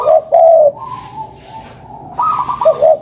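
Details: Spotted dove lure recording: two low, mellow cooing notes at the start, a softer higher hum through the middle, then a rising, wavering pair of coos at the end.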